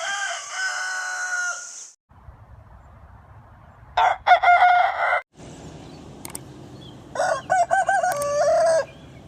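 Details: Rooster crowing: three loud, harmonic, drawn-out crows, each lasting one to two seconds, the first at the start and two more after quiet gaps filled with a low rumbling background hum.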